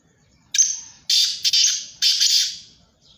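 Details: Black francolin, one of three birds calling, giving a harsh, grating phrase of three loud rasping bursts, the last drawn out and fading.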